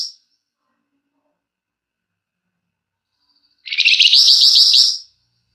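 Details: Lure recording of a flamboyan in full song. A quiet stretch follows a brief high note, then a rapid, buzzy, rattling trill lasts about one and a half seconds.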